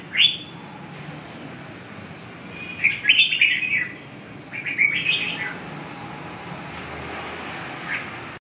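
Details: Red-whiskered bulbul song: a sharp opening note, then clustered chirpy warbles around three and five seconds, ending with a soft single note.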